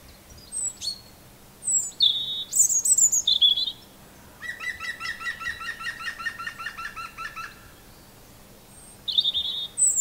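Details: Robins singing: thin, high, sweet phrases opening and closing the passage, broken by pauses, with a long rapid repeated buzzy trill from another bird filling the middle.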